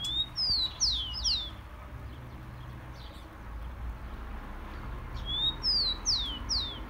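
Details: Song of the tico-tico (Rufous-collared sparrow), used for warming up kept birds. Two phrases, each a brief upslurred note followed by three sharp, falling whistles, separated by a quieter stretch with low rumbling background.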